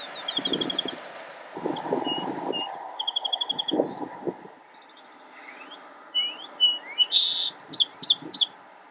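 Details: Song sparrow recorded on a photo walk in Cabarrus County, North Carolina, on 28 March 2016: high trilled and buzzy notes, then rapid sharp notes and a bright burst of chips, with low rumbling noise in the first half.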